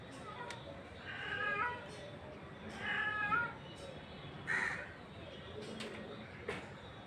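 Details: Rufous treepie calling three times, harsh grating notes spaced a second or more apart, over steady background noise with a few faint clicks.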